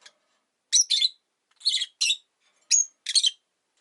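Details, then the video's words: Caged rosy-faced lovebirds, five kept indoors by a window in winter, giving sharp high chirps in three paired bursts about a second apart, each harsh and buzzy with a brief whistled note, quiet between. "冬とか関係なく良く鳴く子【Lovebird Chirping Sounds"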